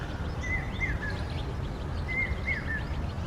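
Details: A common hawk-cuckoo (brain-fever bird) calls on a cloudy monsoon morning in Ahmedabad: two runs of three shrill, whistled notes, each run rising slightly, about 1.7 seconds apart, with faint chirps of other birds over steady low rumble.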